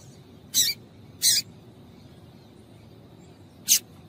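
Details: Female yellow-bellied seedeater giving three quick high-pitched chips, the first two close together and the last after a pause, calling to stimulate males.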